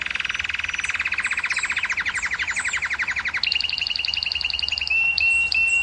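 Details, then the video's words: Canary song intended to stimulate females to breed: a fast, rapidly pulsed rattling trill that abruptly switches to a higher, brighter trill, then ends in a few sustained whistled notes. "أفضل صوت لتهييج إناث الكناري وحثهم على الزواج"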